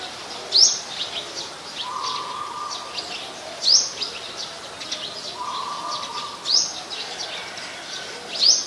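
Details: Common Tailorbird adult in Ubon Ratchathani, Thailand, 8 February 2021, giving a loud, very high, sharply rising note about every three seconds over a busy background of other birds' chirping and a low steady buzz.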